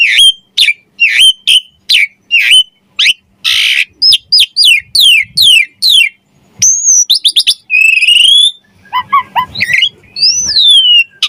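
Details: Javan pied starling in energetic song, for song training: quick repeated sharp whistles, a harsh buzzy burst, then downslurred notes, a long high whistle and varied chattering phrases.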